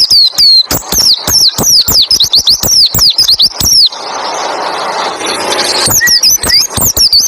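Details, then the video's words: White-eye delivering 'roll tembak ngalas' song meant to draw other white-eyes into singing: nearly four seconds of rapid, high, swooping whistles and clicks, then a stretch of broad hiss before short whistled phrases return. "Masteran burung pleci roll tembak ngalas bikin burung pleci lain ikut bunyi nembak ngalas"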